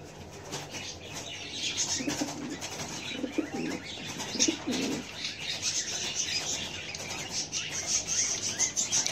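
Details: Soft, low cooing from home-raised pigeons with chicks rises briefly over a steady hiss, with some rustling of feathers.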